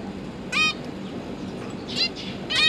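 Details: Zebra finches, two parents feeding three freshly hatched-out juveniles, 31 October 2022; three separate short, nasal, trumpet-like beeps, one early and two near the end, with a faint steady hum beneath.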